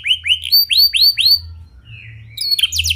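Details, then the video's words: Canary in lively, clear song, played to prompt other canaries to sing: a series of separate rising-then-falling whistled notes about four per second, a short quiet gap, then a quick sharp trill. "Pancingan Efektif Banyak Burung Kenari Cepat Ikut Gacor Dengan Suara Kenari Gacor Ngeroll Jernih Ini"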